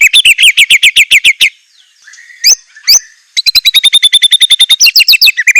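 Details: Murai batu, the white-rumped shama, sings a fierce fill-in song: a quick train of loud ringing notes, a pause with two sharp calls, then another fast run of high chips and whistles.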